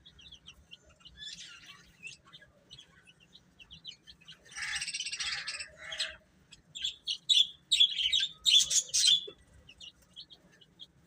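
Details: Chicks of the domestic chicken cheep at high pitch in rapid clustered notes, roughly two per second, mixed with soft rustling scratches midway through.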